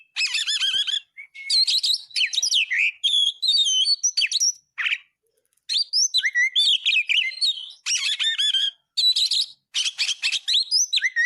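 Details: Oriental magpie-robin singing vigorously, recorded as a tutor: bursts of rich whistled and warbled phrases, harsh chatters and quick slurred notes, grouped in series separated by short pauses.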